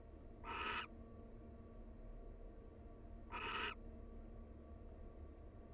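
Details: Wild barn owls bonding as a pair at the nest; a rough, noisy screech rings out, then a second one about three seconds later, against a low continuous hum.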